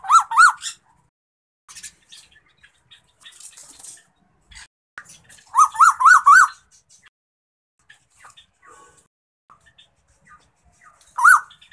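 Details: A hand-raised male Asian koel, rescued as a chick in June 2020, gives short bursts of three to four rising whistled notes, each sweeping upward, with faint clicks and rustles between bursts.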